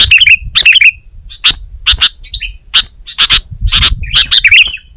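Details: Sooty-headed bulbul (kutilang) singing vigorously, recorded as a training track for Indonesian songbirds: sharp broadband chips mixed with bubbly, warbled phrases of clustered notes, in bursts across the clip over faint low rumble.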